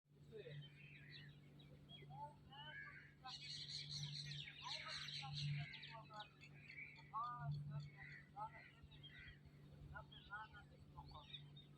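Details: Parrots in Pakistan chirping continuously: rapid, scratchy, high chirps and short twittering bursts tumble over one another, busiest in the middle, above a steady low electrical hum.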